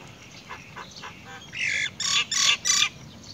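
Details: Great myna chick begging while its mother brings earthworms to feed it: faint soft notes, then four loud, harsh, raspy bursts in quick succession over about one and a half seconds.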